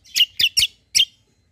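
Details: Kecial kombo white-eye lure meant to draw replies from other birds: four loud, sharp, high chirps, three in quick succession and the last after a short pause, on a quiet background.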